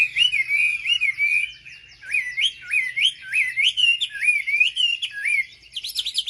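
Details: A hill prinia sings to provoke other birds of its kind: bouncing, rising-and-falling whistled notes in quick series, pausing briefly, then ending in a higher, sharper burst.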